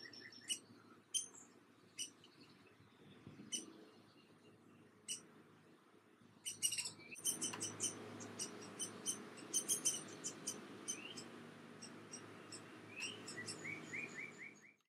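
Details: Young Downy Woodpecker begging while its father feeds it: thin, high squeaky chirps, scattered at first, then a dense excited burst of rapid notes as it is fed.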